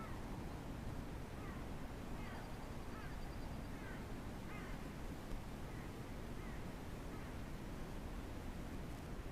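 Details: Ospreys at a breeding nest in the Glaslyn Valley, North Wales, near Pont Croesor: a run of faint, short, upslurred whistled chirps repeated irregularly for several seconds over a steady low rumble of wind or background noise.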